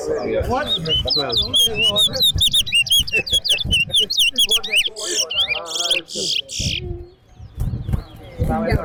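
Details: Towa-towa singing in a competition at Betterhope Center ground: fast, high whistled notes sliding up and down in quick repeated phrases for about five seconds, then fading out, with people talking and crowd noise throughout.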